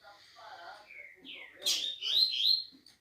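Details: Green-winged saltator song: a soft murmur, then a rising whistle and a burst of bright, warbled whistled notes that end on a sustained tone.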